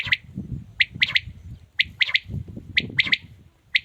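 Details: Male quail repeating crisp, sharp triplet calls, short high pips bunched in threes and spaced about a second apart, over a faint low rumble.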